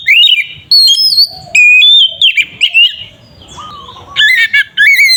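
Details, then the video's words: Oriental magpie-robin in ngeplong song used as a provoking bird: bold whistled phrases and slurs, a softer pause with a low note, then quick chattering whistles to finish. "Pancingan suara burung Kacer ngeplong sangat ampuh untuk pancingan Kacer bahan"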